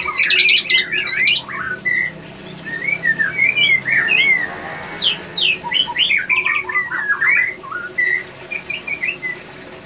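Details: Breeding-condition male White-rumped shama in captivity, opening with a dense burst of high notes, then a string of short rising whistles and chattering phrases, with low background hum.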